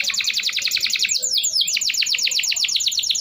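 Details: Singing canary, played to coax silent canaries into song: rapid high trill of repeated notes, a brief break with a few sweeping notes, then the fast rolling trill resumes steadily.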